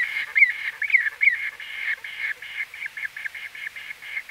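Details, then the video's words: White-fronted bee-eater giving a few loud, clipped rising notes at close range, then softer, quicker chattering calls fading into a dense background chorus of similar voices. "White-Fronted Bee-Eater. NB: Exact Date Of Recording Not Known. CU Calls From A"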